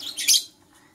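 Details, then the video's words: Green and blue Personata lovebird in the morning giving one shrill, high chirping burst lasting about half a second, then quiet. "Lovebird Singing and Chirping Sounds - Green & Blue Personata"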